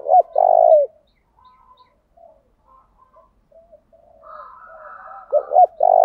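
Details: Spotted dove used as a lure to provoke rivals to sing: loud throaty cooing, a rolling coo then a long buzzy drawn-out note near the start and again at the end, with faint softer coos from other doves between.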